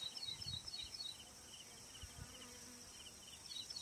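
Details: An Ashy prinia in singing mood in Manas National Park gives faint, high, rapidly repeated chirping notes, about four per second, over a steady hiss of background noise and a few low thumps.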